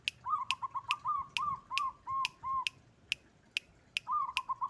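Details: Zebra dove of the local white-barred type, its song said to provoke and panic rival birds: bursts of quick, mellow, bubbling coo notes alternate with sharp clicks that repeat roughly every half second.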